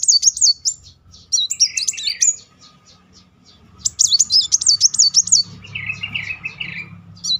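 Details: Van Hasselt's sunbird singing in the 'nembak beruntun' rapid-fire style, played as a lure to provoke singing: bursts of quick, sharp, high zigzag notes separated by pauses, plus a lower buzzy trill near the end.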